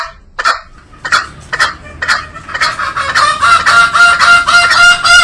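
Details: Green junglefowl: a few separate raspy notes, then a fast, loud run of harsh calls over a steady nasal ringing tone lasting the final two seconds.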